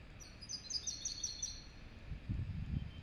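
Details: Serin and goldfinch hybrid singing a quick, high, thin twitter of tinkling notes for over a second, followed by low rumbling background noise.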